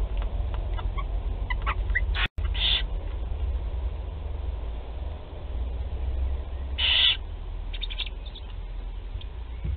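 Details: Barn owl chicks, four in a nest at Théding, during feeding on 16 July 2020: a few scattered clicks and short hisses early, a brief dropout, then one loud rasping hiss near seven seconds.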